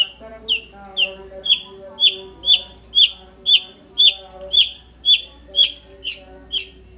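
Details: A nogosari long-tailed shrike repeats a clear two-part note, a downslurred whistle topped by a brief high accent, at an even pace of about two per second, growing louder toward the end.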